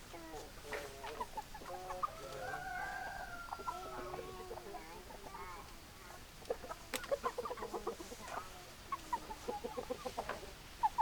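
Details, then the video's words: Chickens softly clucking at a distance, one drawn-out wavering note early on, then scattered short clucks building toward a quicker run near the end. "Chicken Sounds Noises Hens Clucking Roosters Crowing"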